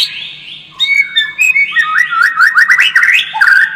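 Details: White-rumped shama lure song, played to make the bird more combative: a quiet start, then a run of varied whistled phrases with slurred, rising and falling notes and quick twittering flourishes.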